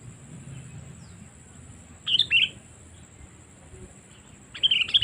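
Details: Sooty-headed bulbul lure call used to draw in wild birds: two short bursts of bright chirping notes, the second at the very end, over a faint low background hum and a steady high tone.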